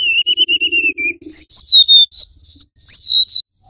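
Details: Golden-bellied gerygone, male and female, recorded as a trapping lure in a flute-like 'nyuling' style: pure thin whistles, first a wavering level note repeated, then higher slurred whistles falling in pitch, over a faint low hum.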